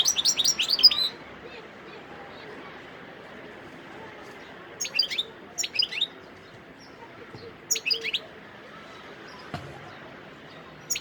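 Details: Wild European goldfinch singing in Sidi Bel Abbes on 17 December 2021, opening with a fast run of shrill twittering, then short bright bursts every second or two and a final chirp, with quiet background noise.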